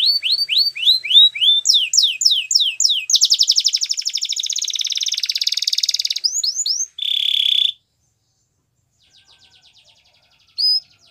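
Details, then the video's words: Belgian canary singing a varied phrase: a fast run of rising whistled notes, then a long buzzy pulsed trill, quick upswept whistles and a short harsh roll, fading into soft clicks before a final high note. "Canary Singing | Belgian Canary"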